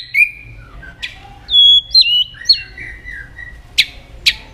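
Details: Murai batu, the white-rumped shama, giving lure song: sparse pure whistles, some held and flat, some sliding down, broken by sharp clicks.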